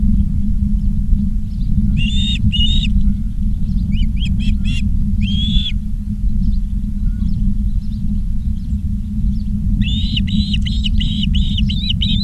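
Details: Ospreys at Charlo, Montana, 19 August 2023, 16:05, on a live nest cam: scattered bursts of high chirping whistles, a pair, a quick stuttered cluster, a single slurred note, then a fast run of chirps, over low hum.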